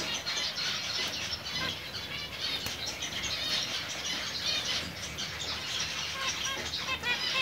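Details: Zebra finches about five months old giving dense, overlapping nasal chirps and short high notes throughout, several birds calling at once with a steady background hiss.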